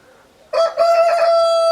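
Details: Close rooster crow: a sharp, loud start breaking into a long sustained, bright note with strong harmonics.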